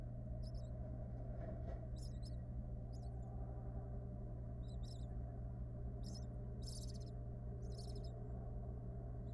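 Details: Wild barn owl, a female with her nestlings in a monitored nest box: harsh, breathy hissing bursts, repeated irregularly about every second or two, over a loud steady electrical hum.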